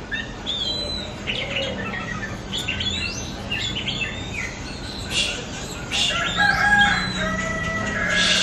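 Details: Recording of an Oriental magpie-robin to stimulate caged birds: a busy mix of chirps, buzzy notes and whistles, ending with longer level whistles, over a low background hum.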